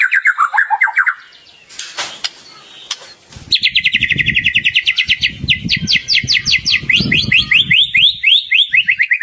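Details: Singing white-rumped shama used as a tutor for caged birds: short falling notes, a brief noisy break, then a long run of sharp, rapidly repeated upslurred notes over low rumbling background noise.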